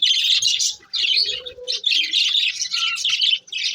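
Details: Breeding budgerigars give lively chirping: rapid, scratchy high-pitched chatter in three or four dense bursts separated by short silences, with a faint lower tone in between.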